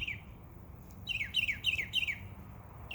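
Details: Birds chirping in a backyard in summer: a quick run of five bright, downward-slurred chirps in the middle, with single chirps at the start and end over a low outdoor rumble.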